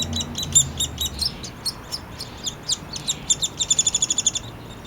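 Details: Downy woodpecker nestling begging while its father feeds it, in a yard in Lethbridge, Alberta, Canada, on July 12, 2026; high, thin chirps come in uneven bursts, then speed into a quick run of evenly spaced notes near the end, with faint low rumble.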